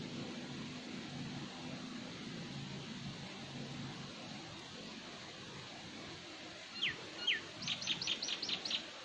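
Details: Common myna while feeding: after a long stretch of low steady hum, two sharp downward-sweeping whistles ring out, followed by a quick run of about six bright repeated chirping notes at the end.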